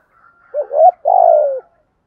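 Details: Spotted dove from Đồng Nai in Thổ voice, a decoy bird for luring others: one phrase of a brief wavering double coo followed by a long, mellow, slightly falling coo, with a faint higher note behind.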